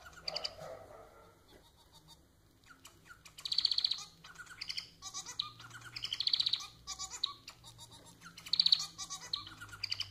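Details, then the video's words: Pet society finch song: long run of high, scratchy chatter broken by dense buzzy trills at intervals of about two and a half seconds, the phrases lively and stuttering. "Vídeo para fazer seu MANON cantar muito!"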